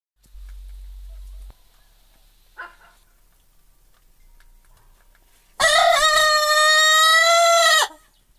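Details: An older hen that laid fewer eggs, kept with two roosters, gives a single hoarse, drawn-out crow of about two seconds, level then dropping at the end, after a low hum and a brief soft cluck.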